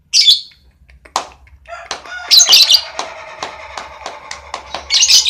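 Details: Relaxed lovebird ngekek: quick clicking notes build into a fast, grating chatter, with shrill squawk bursts at the start, middle and end.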